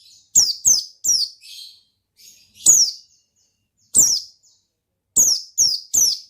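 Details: Energetic ngalas-style singing by an Oriental white-eye: a quick run of three sharp descending chirps, then spaced single notes, and a closing trio of piercing high calls.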